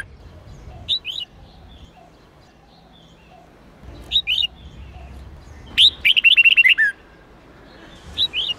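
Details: Red-whiskered bulbul in a voice-training recording gives short paired chirps every few seconds, then a rapid rattle-like run of about eight notes falling in pitch, before another paired chirp.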